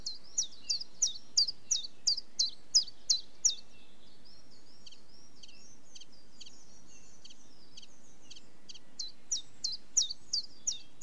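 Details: Common chiffchaff song: a fast series of high, falling chiff-chaff notes, then a few seconds of softer, scratchier twittering, then the clear repeated notes again. Light background noise throughout.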